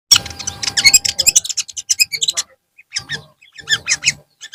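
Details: Long-tailed shrike in the afternoon delivering a fast, dense chatter of scratchy, varied high notes, then a brief pause before more clipped, scratchy phrases, with a faint steady hum underneath.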